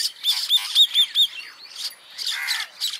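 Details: Common myna around Jal Mahal, Jaipur, in December 2021, with Bank Mynas nearby: a run of squeaky, chattering notes, about five quick bursts in the first second, then harsher rasping chatter.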